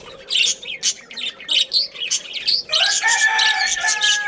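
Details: Budgie family with a breeding pair, sharp high chirps roughly every third of a second, then a run of warbled, harmonic-rich tones toward the end.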